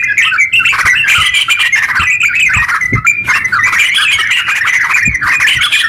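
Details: Yellow-vented bulbul, a captive bird, in long rapid song used as a lure for quiet bulbuls; harsh chattering and squawky warbles flow continuously, with occasional low knocks in the background.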